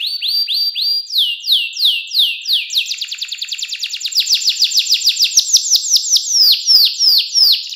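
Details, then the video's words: Canary singing a clear, fancy 'cengkok mewah' style master song for young birds to learn: a run of bright descending whistled sweeps, several per second, then a faster rolling trill of shorter rising-falling notes. "KENARI CENGKOK MEWAH SUARA JERNIH, COCOK BUAT MASTERAN KENARI PAUD BELAJAR BUNYI"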